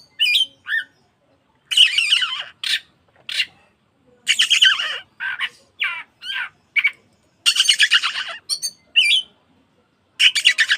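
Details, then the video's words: Oriental magpie-robin (kacer), a trigger recording meant to make caged birds open their tails and sing more: loud bursts of harsh, scratchy and whistled phrases, high-pitched and varied, separated by short silences, about ten bursts. "PANCINGAN KACER BUKA EKOR BIYAR BURUNG ANDA LEBIH GACOR MAKSIMAL"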